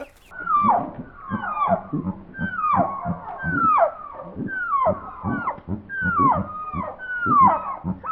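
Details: On a Portuguese farm at grape-harvest time, several chickens give loud, falling squawks, roughly one a second, overlapping into an agitated chorus because they want to be let out; a person talks over them.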